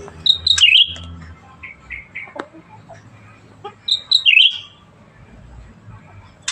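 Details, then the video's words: Black-headed Bulbul singing actively: two short bright phrases of quick whistled notes that swoop and dip, about three seconds apart, with faint low background hum. "Burung Cucak Ranting Gacor"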